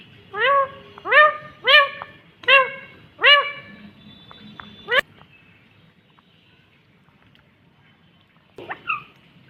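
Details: Rose-ringed parakeet, a green ringneck, repeats a short rising harmonic word-like call five times at steady intervals, then falls quiet before a faint final squeak.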